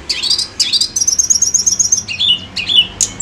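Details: Tledekan gunung bird in lure song: sharp upswept notes, then a long rapid high trill of even pulses, ending in lower warbled slurs and a thin final whistle.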